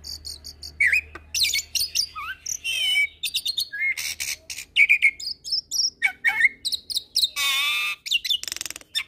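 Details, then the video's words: Black-collared starling song in a training mix with Nias myna and Nias × black-collared starling hybrid song, lively with unique fill-ins: dense chattering phrases of sharp chirps, rising whistles and buzzy rasps following each other without pause. "Masteran Jalak Suren dan Jalak Nias Dengan Kicauan Jalak Hybrid Nias X Suren Gacor Isian Unik"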